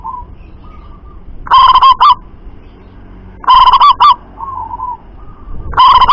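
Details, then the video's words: Loud-voiced local zebra dove, its calls said to carry a long way. Three forceful, overdriven bursts of rapid trilled cooing come about two seconds apart, with soft rolling coos between them. "Perkutut Lokal Suara Lantang Mampu Jarak Jauh"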